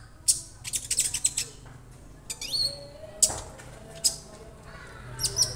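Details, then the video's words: Young caged Orange-bellied Leafbird that already sings, kept alone to focus on tutoring: high rattling bursts, a short down-slurred whistle, and isolated sharp chips with pauses between. "KONIN Bahan auto rajin"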